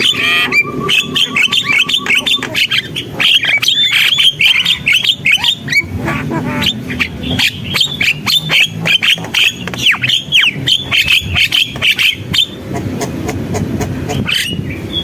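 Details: Long bout of vigorous Javan myna singing: rapid chattering bursts and squeaky whistles, a sustained whistle near the start, then a quieter rumbling close.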